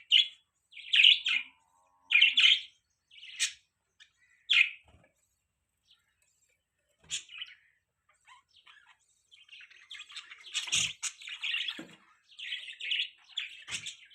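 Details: Loud, clipped budgerigar chirps come in quick pairs for the first few seconds. A quiet gap with faint ticks follows, then softer continuous twittering chatter builds toward the end.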